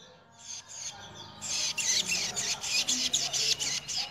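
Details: A male hybrid songbird, excited at the sight of a loose female, bursts into loud, high, scratchy song, with rapid rasping notes about four a second after a softer twittering start.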